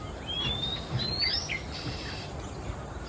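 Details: Male Oriental magpie-robin singing in the quiet afternoon in Singapore, moving perch to perch: thin, high whistled notes sliding upward, with a few brief chirps, over a steady low background hum.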